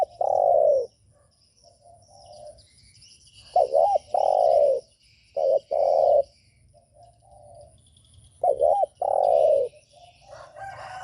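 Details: Spotted dove giving its provoking coo to stir up other doves: loud, hollow, low coos in phrases, each a quick wavering double note then a drawn-out coo, repeated about every four seconds.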